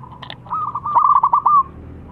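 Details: Young local zebra dove with a deep, thick voice, a lure for other doves, giving one phrase: a smooth coo breaking into a quick rattle of staccato notes and ending on a drawn-out tone.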